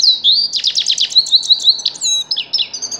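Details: Grey-crowned goldfinch song, a busy cascade of sharp downslurred notes, thin whistles and buzzy trills running without a break.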